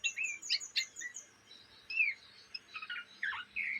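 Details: Young Oriental magpie-robin, kept as a cage bird in Indonesia, chattering song. A few bright whistled and chirpy notes open the passage, then it pauses and resumes with scattered rising squeaks and a falling slur. A faint steady hum runs underneath.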